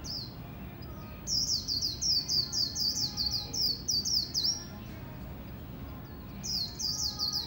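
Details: Oriental white-eye prepared for a new competition season delivers líu song, a long rapid chain of bright, high, rolling twitters, pausing briefly before another fast burst; soft low-frequency hum underneath.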